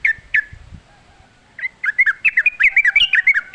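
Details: Wild sooty-headed bulbul singing lively in natural forest surroundings: two sharp chirps, a pause, then a quick run of bubbly whistled notes rising and falling, packed closely and ending in a steady chatter.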